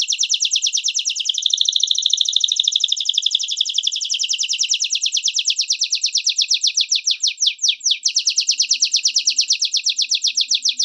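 A domestic canary sings without pause, a high, bright stream of fast rolling trills and buzzy tours that change speed and pitch throughout.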